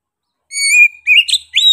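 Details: Oriental magpie-robin in active, sharp song. A long, steady, pure whistle is followed by two quick, slurred, rising notes.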